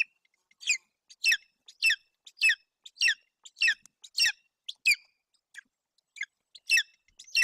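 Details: Hungry golden eagle chick with an empty crop at a nest in Bucovina, Romania, on June 8, 2021, gives high, squeaky, slightly hoarse begging calls almost twice a second as its mother brings a roe deer fawn and starts feeding.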